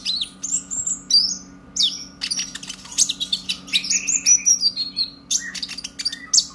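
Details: Purple-throated sunbird, caged young brown-breasted bird learning to sing, used as a lure to get others going: continuous high twittering, rising and falling squeaks and sharp ticks in quick succession.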